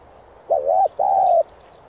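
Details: Spotted dove song used to urge captive decoy birds to call quickly. One phrase: a brief wavering double note running straight into a drawn-out, even coo that falls gently at the end, with light hiss behind.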